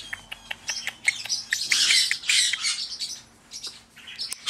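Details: Male pet parrotlet, a caged bird born in 2008, chirping after being greeted: dense bursts of high, scratchy chirps and short squeaky notes, mostly high-pitched and rapid, with brief pauses between bursts.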